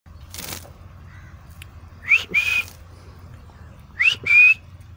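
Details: Pet Alexandrine parakeet in a park whistling: two pairs of sharp, rising whistles, each pair a quick upswept note followed by a longer level one, about two seconds apart, over a quiet low background hum.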